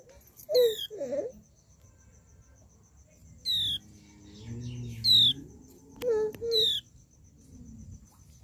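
A flowerpecker gives four or five sharp, very high, downslurred ticking notes a second or so apart, with a faint low human voice murmuring in between.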